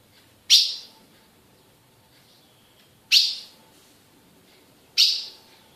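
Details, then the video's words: Female ultramarine grosbeak from a Brazilian captive breeder calls with three sharp, high chips roughly two and a half seconds apart, in a quiet setting with little background noise. "Fêmea de azulão piando"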